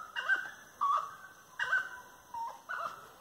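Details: A Grey-necked wood rail sings firmly while walking along lanes at dusk on 25 March 2022, 18:30. Five loud, nasal, slightly falling notes are spaced about half a second apart.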